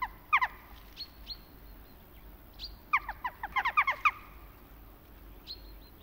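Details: Western jackdaw in autumn gives short, sharp 'tchak' calls, a few at first then a quick burst of about eight, with thin high whistles from another bird and insects around.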